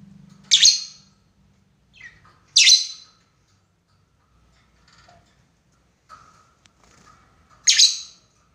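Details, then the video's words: Lovebird calling a rival, recorded as a lure for 'ngekek' chattering; three shrill, grating squawks spaced two to five seconds apart, with faint low chirps in between. "SUARA BURUNG LOVEBIRD MEMANGGIL LAWAN,PANCINGAN LOVEBIRD NGEKEK PANJANG"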